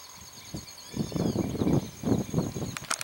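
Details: Southern screamer perched in a tree, a place where the species is rarely seen, giving deep, loud honking bursts in a rough repeated series, with brief high chirps from other birds at the end.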